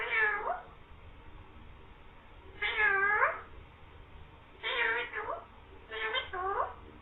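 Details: Talking green parrot produces cat-like meows while saying "mian mithu"; four separated meow bursts, the last few doubled, each bending down and up in pitch, over steady low background noise.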